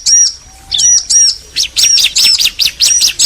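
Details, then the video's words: Male and female bar-winged prinias call back and forth. A few separate high looped notes, with a faint low whistle underneath, then a denser burst of sharp chirps. "Ciblek betina & Jantan saling nyaut"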